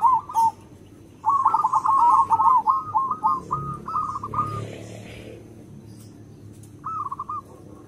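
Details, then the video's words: Vigorously singing local zebra dove with a big voice, used to lure other zebra doves: a rapid, rolling run of staccato cooing notes that slows and fades, then a brief further burst. "Perkutut lokal gacor SUARA BESAR, karakter suara nya bagus untuk pemikat semua perkutut"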